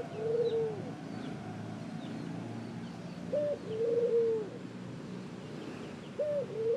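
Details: Soft cooing from a ring-necked dove, with three separate phrases of low, hollow notes spaced a few seconds apart and quiet background hiss between them.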